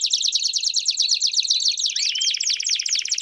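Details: Campainha canary song with piados for young canaries' training: rapid rolling trill at high pitch, one long rising whistle near the end, then a looser descending series of notes.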